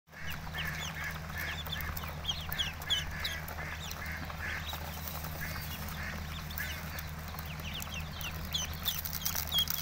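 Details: Ducklings peeping: a continuous crowd of short, high, repeated peeps overlapping one another, over a steady low hum throughout.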